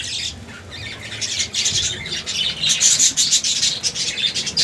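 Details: Several Budgerigars (Melopsittacus undulatus) chattering with fast, high, scratchy chirps and squeaks in a busy stream.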